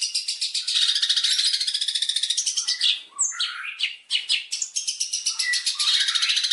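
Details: Spirited opening song of a long-tailed shrike meant to draw out other birds: a dense, rapid rattling chatter of high notes, nearly three per second, broken midway by a few squeaky slurred phrases before the rattle resumes.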